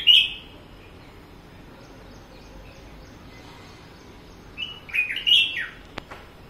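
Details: A red-whiskered bulbul singing on a balcony gives two short, bright whistled phrases about five seconds apart, the second more warbled and tumbling, with a faint click near the end.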